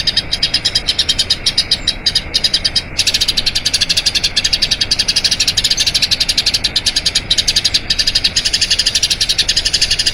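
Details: Eurasian tree sparrow singing a long rolling song for use in training other birds. Dense, rapid high chirping runs on for the whole stretch, becoming fuller and louder after the first few seconds.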